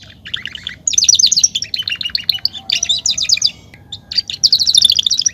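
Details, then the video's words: Belgian canary warm-up song of the singing male: rapid rattling trills in several bursts, each a fast run of bright repeated notes, separated by short gaps. "canto para esquentar canario belga"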